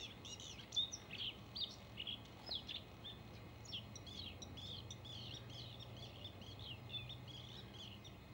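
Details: Male Bluethroat song, a run of varied high chirps, whistles and clicking notes tumbling quickly for several seconds, louder at first then softer, with a low constant background rumble.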